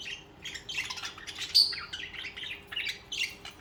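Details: Budgerigars warble and chatter continuously, a tangle of scratchy chirps and a brief high whistle.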